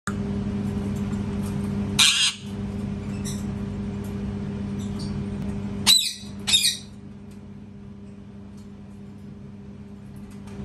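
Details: A parrot screaming loudly: a short harsh broadband squawk near two seconds, then a rasping double scream around six seconds, separated by quiet stretches over a steady low indoor hum.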